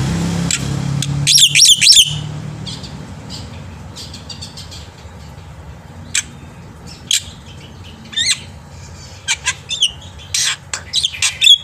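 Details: Black-winged myna singing actively in the morning, used as tutor song for young birds: a dense burst of harsh, buzzy, stacked notes, then scattered sharp chips and short whistled notes over low background hum.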